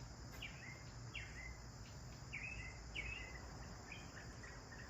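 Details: Sparrows calling as they bathe: short downward-sweeping chirps, about one each half second, spaced unevenly, with a constant high-pitched hiss and a low rumble underneath.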